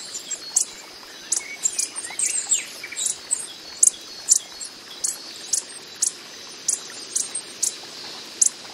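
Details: Coppery-headed emerald hummingbird in the wild, repeating short, piercing high ticks at uneven intervals over a faint, continuous high-pitched hum.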